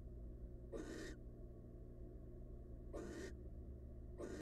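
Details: Wild female barn owl incubating eggs inside a monitored nest box: three short, harsh, breathy hissing bursts, each under half a second, arriving roughly every two seconds over a steady low electrical hum.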